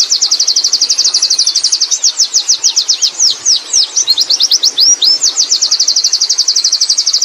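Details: Wild Oriental white-eye (pleci ngalas) singing in ngerol style: a long, fast rolling run of high, sharp notes, repeated about four per second, with brief twisting, swooping notes mid-phrase before the steady rapid trill resumes.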